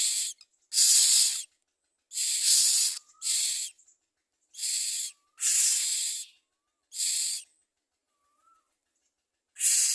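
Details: Common myna at the nest bringing food for its young; seven rough, hissing rasps at uneven intervals, some long and some clipped, separated by soft, thin, rising whistles.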